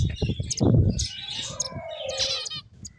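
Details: Finches calling at close range: a few sharp high tweets, then a drawn-out wavering note and a brief trill, over soft low knocking and rustle.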